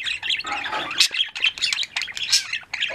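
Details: Flock of caged pet budgies chattering in the afternoon: busy mix of scratchy squawks, short bright chirps and warbled trills from several birds at once, steady and overlapping throughout.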